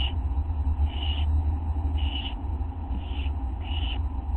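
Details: Nighttime owlet begging as a parent brings a small mouse, August 9, 1:29 AM; a few raspy hissed notes spaced irregularly, with a steady low-pitched hum behind.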